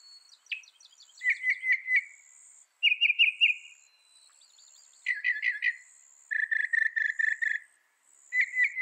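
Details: Mockingbird song made of changing phrases, each repeated several times: short trilled groups, a burst of quick clicks, then a rapid series of even chirps, with a thin high hiss in the background.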